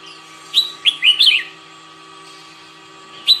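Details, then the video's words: Red-whiskered bulbul in morning singing practice: one quick phrase of warbled, whistled notes followed by a lone sharp note, set against a constant low electrical hum. "Chào mào hót - Luyện chào mào hót buổi sáng"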